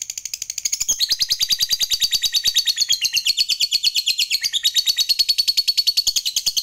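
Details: Unbroken ngekek panjang from a lovebird fighter provoking its rivals: rapid, shrill, rattling chatter at roughly seven notes a second, pouring on steadily for the full length with the pitch wavering slightly.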